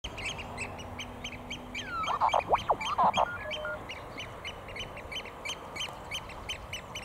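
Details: Eurasian oystercatchers at the National Memorial Arboretum, thought by the owner to be quarrelling (2 males, 1 female), break into a second-long burst of loud, shrill, tumbling calls amid a steady series of high ticking notes about twice a second.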